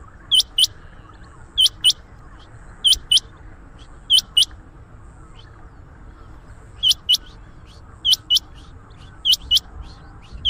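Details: Rain quail call for luring quail into traps: piercing paired notes repeating roughly every one to one and a half seconds, sometimes a pair slightly doubled, over constant low hiss.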